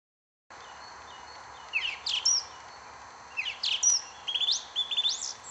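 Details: Song thrush singing: short clear whistled and slurred phrases, some rising sharply, delivered in bursts with brief pauses and a couple of similar notes repeated near the end, over a steady low background hiss.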